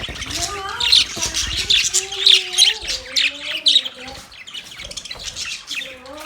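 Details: Loud budgerigar chirps, sharp squeaky bursts about once a second, over continuous twittering and long, gently sliding low tonal notes.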